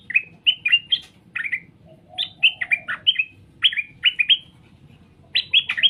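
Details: Straw-headed bulbul song used to get birds to answer: loud, liquid, bubbling warbled phrases of three or four notes, each rising and falling, delivered in bursts with brief pauses between them.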